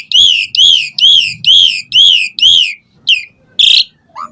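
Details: Asian pied starling used as a lure to make other starlings reply, singing with many fill-in phrases: six loud arched whistles at an even pace, then a few scattered harsher notes.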